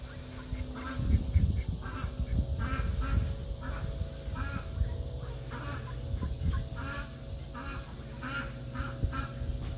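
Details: Mallards raiding a duck feeder on 16 August 2022, mid-afternoon, give soft, low, repeated quacks and chuckling calls, with a steady background hum and some low thumping noise.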